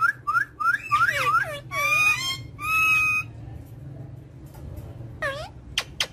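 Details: Indian ringneck parakeet calling: four quick rising whistled chirps, then two drawn-out nasal harmonic calls, followed by quieter scattered squeaks and clicks after a pause.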